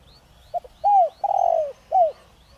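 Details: Spotted dove of the 'Đồng Rặc' voice, a decoy that sets wild doves calling. A single phrase: a quick double note, a rounded coo, a drawn-out quavering falling coo and a closing arched note. A few faint high chirps from another bird.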